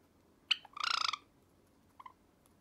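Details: At night, a male pet Java sparrow, a cream-coloured sakura bird annoyed by the owner's finger, angrily gives one sharp high chip, then a quick harsh rolling rattle of about a dozen pulses, ending with a couple of soft notes.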